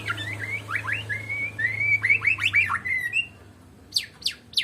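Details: White-rumped shama, Medan type, singing alone without a rival: a flowing series of upslurred and level whistles, quickly repeated. A steady low hum runs underneath, and three sharp high notes close the passage.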